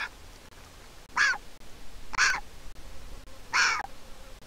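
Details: Begging Griffon vulture chick on an Israeli nest camera, hatched 22.4.21 to a handicapped pair, calling as its mother comes to feed it: three harsh, nasal squeals spaced just over a second apart with quiet gaps between.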